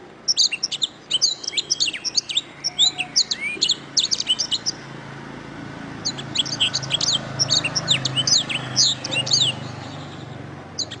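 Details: Tutor song of a canary for training songbirds: long series of quick, high, chirping syllables and rapid trills in two dense phrases, with a faint low hum underneath.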